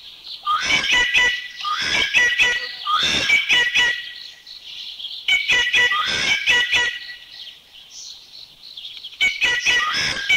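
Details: Rufous treepie recorded in Thailand, repeated bursts of harsh chattering notes and grating rattles, about four bouts spread across the recording with short pauses between them.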